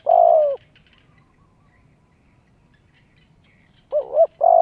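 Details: End of a long mellow coo, a pause of over three seconds, then a fresh spotted dove phrase beginning with a wobbling two-part note and a sustained coo. Played to lure wild doves and train young birds.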